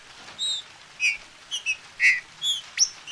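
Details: Green-winged saltator kept in captivity by a registered breeder in Brazil, recorded to warm up other birds to sing: short, separate, bright whistled notes, some sliding up or down, spaced about half a second apart against a quiet background.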